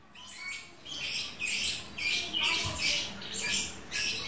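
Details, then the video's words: Trondol lovebird, a caged pet bird, calling in a long continuous 'ngekek' chatter: harsh, buzzy bursts repeated about twice a second with little pause, over a low background hum. "Suara burung Lovebird trondol ngekek terus, gacor tenan!"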